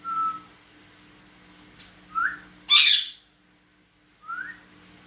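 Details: Pet cockatiel trading whistles with a person: short clear whistled notes, some rising, spaced about two seconds apart, with one loud harsh screeching squawk in the middle and a brief scratchy burst before it.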